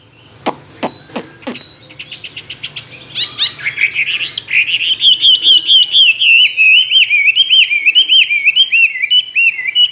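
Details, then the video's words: Chinese hwamei kept in a cage for two years, tame and singing many forest voices: three loud clicks and brief chatter give way to a fast, rolling stream of clear wavering whistles. "Họa mi thuần nhiều giọng rừng,chim đấu hót tốt"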